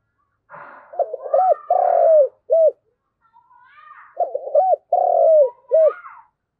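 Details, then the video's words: Spotted dove, a decoy bird, cooing to call the flock. Two identical low phrases, each with stuttered notes, a long vibrating coo and a brief end note. Fainter higher chirps from other birds sound in the background. "tiếng cu gáy gáy gọi bầy"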